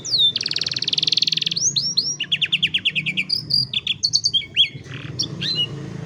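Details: Canary song meant for training young canaries: a long dense buzzing roll, then looping whistled slurs, a quick trill of repeated notes and scattered chips and rasps, energetic and varied over low background noise.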